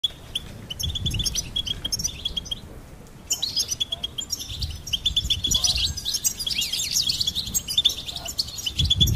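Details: Goldfinch singing: rapid tinkling, twittering phrases with a steady high buzzy note running underneath, a short pause near three seconds, then denser chattering. Low thumps and rumbles are heard in the background.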